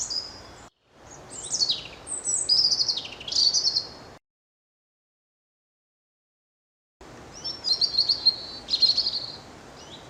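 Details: European robin singing its hard-to-transcribe, variable babble, used by both sexes to guard a winter territory; two phrases of high sweeping whistles and fast trills, separated by a few seconds of silence.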